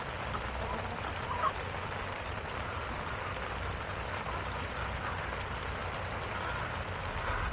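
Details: Steady broadband rumble like an idling engine or rushing water fills the whole stretch, with no animal calls heard.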